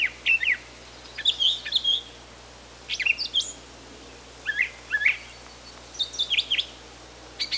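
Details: Wild brown thrasher in Canada singing loud, varied phrases of sharp down-slurred and rising notes, many given in quick pairs, separated by short pauses, with a low steady hum underneath.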